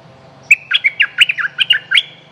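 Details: Streak-eared bulbul, a territory master with a fierce song, used as a lure: a tight run of roughly ten sharp, bubbly chirps jumping between higher and lower pitches, with a faint low hum beneath.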